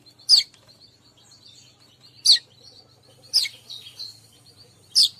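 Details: Calling sound for luring all types of weaver: loud, piercing, downward-sweeping chips spaced one to two seconds apart. Soft, thin twittering continues between them.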